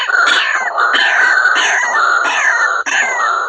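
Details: White-breasted waterhen calls used as a lure for trapping: harsh, grating, nasal notes repeated about every half second in a dense, continuous series with no gaps, loud throughout.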